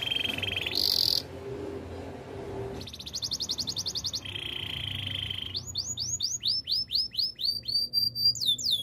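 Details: Canary singing for training: a held low tour, a brief bright burst, a rapid pulsed trill and a steady tone, then a run of falling whistled notes; a low background hum throughout.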